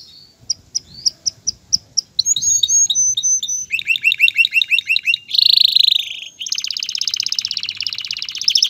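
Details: Song of a male canary courting a female to mate and build a nest. Separate sharp chirps speed into rolling trills of repeated swooping notes, followed by dense buzzy trills at varied pitches. Constant fast-changing phrases.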